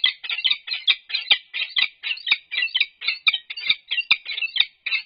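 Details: Female and unbanded male peregrine falcons in courtship in a nest box at UC Berkeley, April 2022; continuous rasping, chattering calls in quick succession, about three harsh notes each second with no pause.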